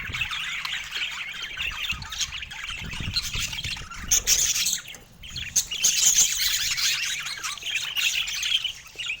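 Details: Several budgerigars warble and chatter in morning sunshine in San Diego, a dense stream of high, buzzy twittering notes with scattered sharp squawks, briefly easing off near the middle before building again.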